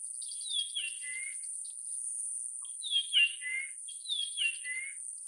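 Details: Japanese grosbeak giving three loud whistled phrases, each opening high and slurring down into lower fluty notes, spaced about two seconds apart, against a steady high-pitched hiss.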